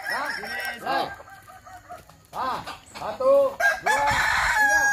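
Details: Kukuak Balenggek roosters at a practice crowing contest in Sawah Lunto give a series of arched, bouncing crow notes. A short lull near two seconds breaks the run, and loud overlapping crowing resumes toward the end.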